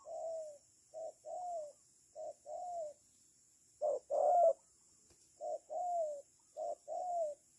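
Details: Spotted dove serving as a trapping decoy, giving soft low coos in short-then-long pairs, with one louder, rougher burst midway and gaps between phrases.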